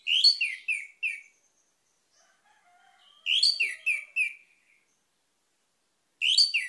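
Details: Orange-headed thrush repeating a loud, slurred phrase of four or five ringing chirps about every three seconds, with soft twitters between.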